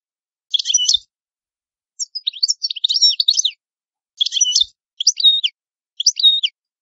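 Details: Cardellino, the European goldfinch, delivering a varied song: scratchy buzzing bursts and swooping twangy notes in phrases under a second long, separated by short gaps, faint clicks.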